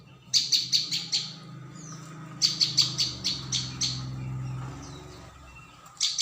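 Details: High, clipped chirps of a prinia (ciang, prenjak bawah) in lure recording: a burst of five, a gap with low rumbling hum, then another burst of six, and a final burst starting at the end.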